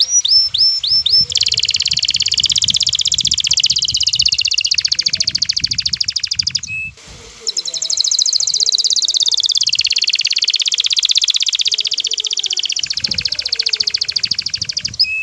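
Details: Excited male canary courting a female, urging her into mating posture; a few rising whistles lead into long, sustained rolling trills broken by one short pause, over faint low background noise.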